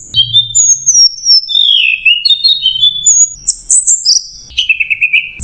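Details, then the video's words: Continuous orange-headed thrush song recorded as masteran, "macet jernih" style: falling high whistles, descending slurred notes, a burst of very high trilled phrases, then a lower rapid warble. "MASTERAN ANIS MERAH MACET JERNIH"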